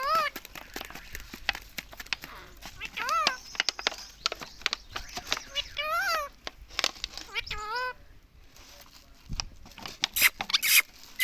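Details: Talking rose-ringed parakeet repeating a word nonstop: rapid nasal, chevron-shaped syllables in clusters, with clicking, knocks and brief hissy noises around it.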